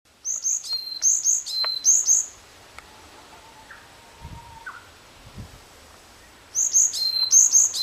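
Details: Varied tit singing: bursts of high thin paired notes, each a sharp upper note dropping to a lower held tone, repeated rapidly for two seconds, then silence with faint low rumbles, and the phrase returning near the end.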